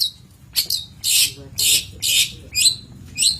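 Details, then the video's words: Long-tailed shrike from a master recording for training birds, delivering loud harsh rasping bursts about twice a second, interspersed with shorter downslurred whistled notes. "Masteran Cendet / Kicau Cendet"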